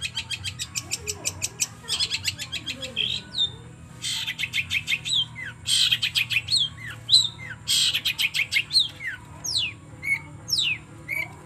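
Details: Captive long-tailed shrike song used as a lure to make another bird sing, a fast varied medley of rapid chattering trills, harsh bursts and descending whistled slurs, delivered in dense runs with short gaps.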